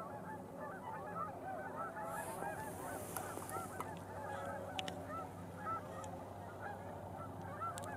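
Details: Dense chorus of tundra swans gathering in a pond after flying in through the twilight hour, nearly dark, countless overlapping mellow high hooting whoops and honks over a steady low rumble.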